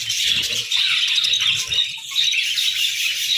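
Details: Budgerigars in the morning keep up a busy, high-pitched twittering, a thick stream of squeaky chirps and warbles with a brief dip in volume midway.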